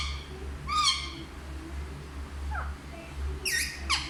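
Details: Talking parrot, described as speaking Hindi, produces a harsh harmonic syllable, a short gap, then a quick run of sharp descending squawks, with a steady low hum throughout.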